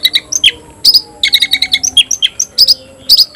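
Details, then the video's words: Oriental magpie-robin of the tayoraky strain, a kept songbird, singing a fast string of short sharp chirps and whistled notes, loud and rapid, about five bursts a second with brief gaps, high-pitched throughout. "bikin suara kicau burung Kacer gacor dan ngotot buka ekor"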